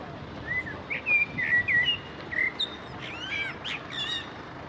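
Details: In spring, a common blackbird sings beside the Long Water: mellow, fluty phrases of varied notes broken by thin, squeaky higher twitters, with a soft outdoor hush behind.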